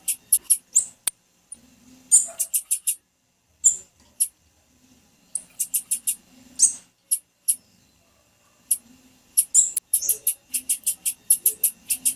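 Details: A female blue-black grassquit gives calls used to excite males. Dense bursts of piercing high chips repeat in rapid runs throughout, broken by short silences. There is a faint steady hum beneath.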